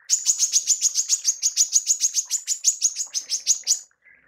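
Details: A female manggar delivers its tembakan, used in songbird training, as a steady string of piercing, high chip notes repeated several times a second for nearly four seconds, then a faint trill.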